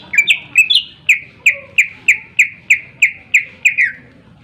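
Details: Greater green leafbird with a sharp voice, used to spur other birds into song: a few rising slurred whistles, then about ten clear, downslurred notes repeated steadily, roughly three per second.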